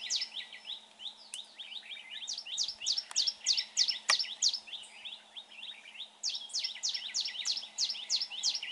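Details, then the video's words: Red-whiskered bulbul near a trap, noted for its fine voice: bursts of rapid, harsh, downslurred chirps, loud and dense, broken by a brief pause before another fast series, with a couple of sharp clicks. "Bẫy chào mào bộ đẹp. giọng hay."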